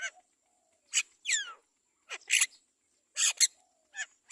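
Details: Great myna chick being fed carefully by its mother gives harsh, raspy begging bursts about once a second, mixed with a quick falling squeal; no other sounds stand out.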